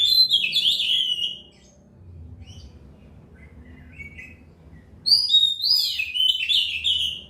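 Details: Oriental magpie-robin delivering two bursts of quick, varied whistles and chattering trills, one at the start and one after a pause of about four seconds, with a few soft notes in between and a faint low hum behind.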